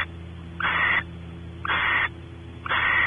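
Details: Barn owl pair in their nest cavity at Audubon Starr Ranch, California, male investigating the cavity, female anticipating mating; three loud, breathy screechy hisses a second apart against a faint mechanical hum.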